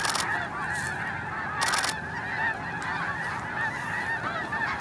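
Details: Hundreds of overlapping honks as Snow Geese take off early at Hagerman NWR, a steady yelping chorus with brief crackling rushes of wings near the start.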